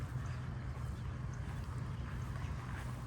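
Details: A steady low rumble, like an engine or boat motor, with faint wind and no clear animal calls.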